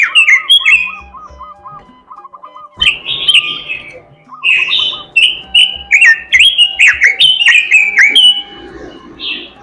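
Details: An oriental magpie-robin sings a sweet gacor song mixed with isian fill-ins. A low, stuttering run of rapid notes gives way to loud, varied whistles, trills and sharp clicks that pour out almost without pause.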